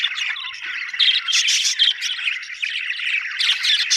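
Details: Budgerigars, described as happy Australian birds, chirping continuously in a dense overlapping chorus of warbling, scratchy chatter and squawky notes, with brief louder bursts throughout.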